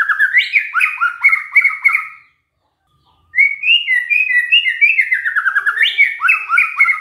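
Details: Caged white-rumped shama singing canary-style phrases, long runs of rapid rich warbles and whistles in two extended bursts with a short gap.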